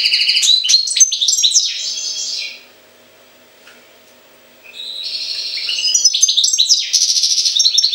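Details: European goldfinch song in two bursts of rapid, liquid twittering mixed with buzzy trills, separated by a couple of seconds of quiet, with a low steady hum underneath.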